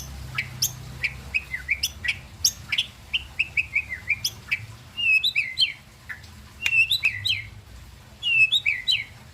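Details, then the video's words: White-rumped shama in full song: rapid bright whistles and sharp rising flicks strung into varied phrases, some rolling trills, with brief gaps between bursts and a soft low hum underneath. "murai pastol"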